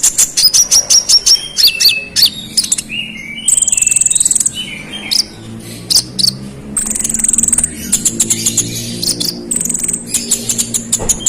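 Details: Scarlet-headed flowerpecker delivering a persistent, rival-baiting song: a steady stream of sharp high chips, buzzy trilled phrases and thin falling whistles, loud and nearly continuous.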